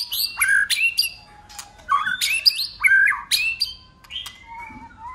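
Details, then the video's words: White-rumped shama giving a contest song with tail flicking, switching voices continuously: loud, varied whistled phrases mixed with harsh squawky notes, delivered in bursts separated by brief quieter gaps, with sharp clicks in the background. "Chòe lửa hót đấuđập đuôi đảo giọng liên tục!. cực bền.chòe lửa hót nhiều giọng"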